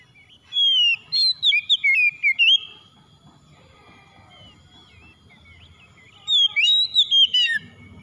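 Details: Oriental magpie-robin song played to rouse a stressed bird that has stopped singing: two bursts of loud, rich whistled phrases with rising and falling slurred notes, separated by a quiet gap, over a faint low hum.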